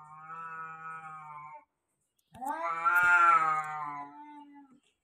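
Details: Cat sounds mimicked by an African grey parrot: a steady nasal meow lasting over a second, a brief silence, then a louder rising-and-falling wail that tails off.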